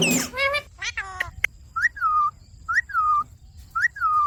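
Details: Pet talking Indian ringneck parakeet, after some brief chatter, repeats a two-part whistle: a quick rising note, then a long falling slide, three times about a second apart.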